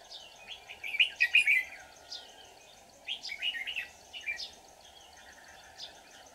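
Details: Red-whiskered bulbul decoy at a trap for wild birds, 24 July 2019. Bursts of quick, bubbling whistled warbles separated by quieter gaps, with faint distant notes in between.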